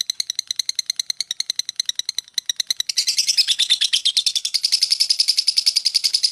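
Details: Long ngekek chatter from a lovebird. Separate sharp high chips come quickly at first, then after a few seconds merge into a fast, dense, buzzy trill.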